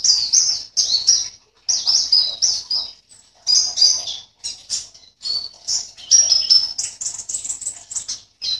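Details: Javan white-eye, a caged bird entered in an online singing competition from Sambas, West Kalimantan, Indonesia, pours out high rapid chattering and warbled phrases in bursts with short pauses, dense twittering notes throughout.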